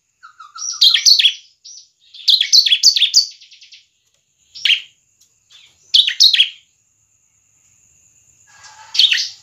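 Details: Bar-winged prinia, semi-crystal form, kept as a lure for other singers, giving separated clusters of quick shrill chirps with gaps between, one soft low whistle at the start and a thin steady tone running underneath.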